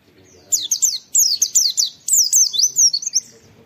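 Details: Oriental white-eye master recording with wit wit calls, used to get white-eyes singing: a rapid, continuous string of high falling whistles and twittering notes, about a dozen in three seconds.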